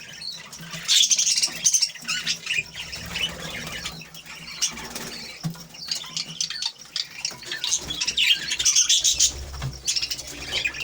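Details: Budgerigar parents feeding a brood of five chicks in a home aviary shared with other nesting birds; repeated bursts of shrill, raspy, high-pitched chatter come every second or two, separated by quieter scratchy pauses.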